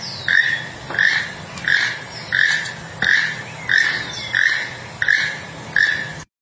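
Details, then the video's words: A toucan gives a steady series of hoarse, croaking notes, about eight in six seconds, each a short rasp over a low background rumble. "Toucan Sound"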